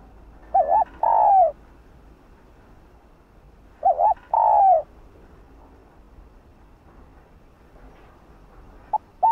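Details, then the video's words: Two repeated phrases about three seconds apart from a female spotted dove calling to stir a male, each a couple of short arched coos leading into a longer drooping coo. Faint background hiss. "Chim cu gáy thúc trống,gọi trống đưa trống lên đỉnh | cu mái gáy"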